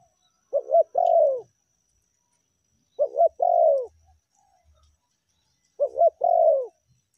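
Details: Tekukur (spotted dove) calling for luring, in meratus and melambung styles: three evenly spaced phrases, each a quick coo pair and a longer downward-bending coo, with faint low thumps in the pauses.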